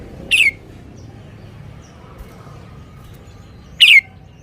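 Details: Caged red-whiskered bulbul singing: two loud, clear, falling warbled notes, over three seconds apart, with faint background noise between them.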